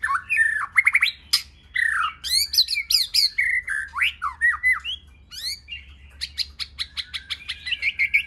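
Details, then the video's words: Varied multi-voiced white-rumped shama song for stimulating and training shamas: rich mix of slurred whistles, fast rattling trills and sharp upswept notes, closing with a quick rapid series of high ticking notes. "Kích Chòe lửa hót nhiều giọng"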